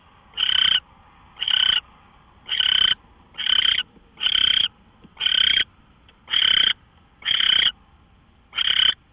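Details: Pre-dawn owl calls at 5:27 AM, March 24, 2013, on a live camera: repeated raspy, hissing screeches, close to one per second, evenly paced over nine seconds, with a low background hum.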